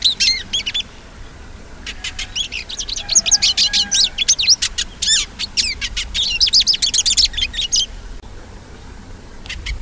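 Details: Hooded siskin song: a fast, rambling stream of high twittering notes, buzzy trills and sharp chirps delivered in long bursts with brief pauses, bright and varied, over a faint low background hum.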